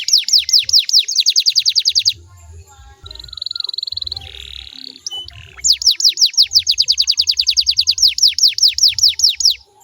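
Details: Canary song meant to get listening canaries to sing back. Rapid descending whistled notes give way to a steady buzzy trill, then another long run of swept notes. Faint low thudding sounds are in the background.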